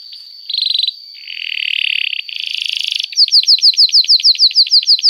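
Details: Canary song used as training material for young birds: short buzzy trill, a dry rattling section, then a rapid series of bright whistled notes sweeping downward, about three per second, clear and loud.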